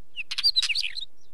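A wheatear gives a quick scratchy burst of high chirps and dry clicks mixed with thin whistled notes, about a second long, against a quiet background.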